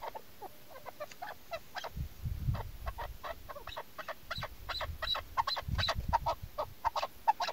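A female chukar gives a fast series of harsh, clucking 'chuk' notes, several per second, with low rumbling background noise.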